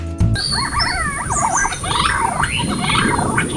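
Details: Orange-breasted green pigeon at Sembuwatta Lake, Matale, Sri Lanka, a man-made lake surrounded by forest, giving a run of wavering, modulated whistles that rise and fall steadily for over three seconds, over low background music.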